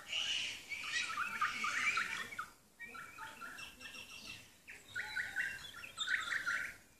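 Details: Kaka, native New Zealand parrots on Stewart Island; loud grating chatter and squawks in rapid stuttering series, a quieter middle stretch, then renewed harsh bursts.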